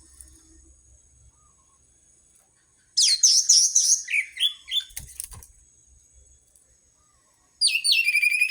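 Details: Orange-headed thrush song played as a training lure for birds slow to sing: a dense run of varied chirps and slurred whistles lasting about two seconds, a click, then a brief rising chattering phrase at the end.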